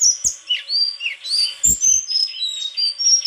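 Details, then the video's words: White-throated flycatcher singing a busy run of high whistles, downslurred chirps and short bright notes in quick succession, with occasional clicks. "Sikatan krongkongan putih suara gak kalah sama burung kicau lain"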